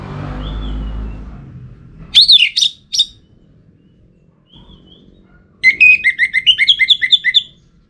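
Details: Orange-headed thrush (Anis Merah), a kept songbird from North Bali, Singaraja, singing as a pancingan lure song. Low rumbling noise fills the first two seconds, then a loud burst of varied whistled notes, a pause, and a quick run of about ten sharp warbled notes.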